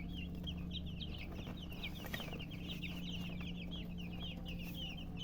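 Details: Chorus of baby chicks peeping without pause, many thin descending chirps tumbling over one another at a high pitch, over a faint constant low hum.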